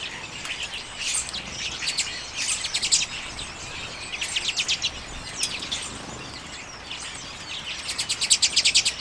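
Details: Common redpolls feeding on sunflower seeds in late January 2022, recorded with a Canon EOS M50 camera: bursts of rapid, dry, high chattering trills, several birds overlapping, separated by short pauses, over faint background hiss.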